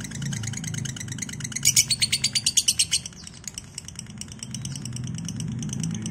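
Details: A lovebird gives a fast, shrill chattering trill (ngekek) of about a dozen sharp notes over a low engine-like hum, recorded as a master track to prompt lovebirds to trill.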